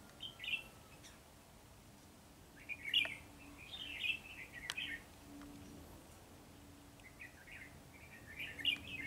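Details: Red-whiskered bulbul giving short bright warbled phrases in brief bursts, each about half a second, scattered across the recording with pauses between, over a faint steady hum and a few soft clicks.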